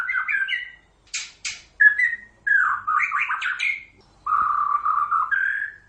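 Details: Song of a white-rumped shama mixing quick warbled notes, two harsh high buzzy rasps, a rapid chattering run and a long, steady whistled note that rises at the end.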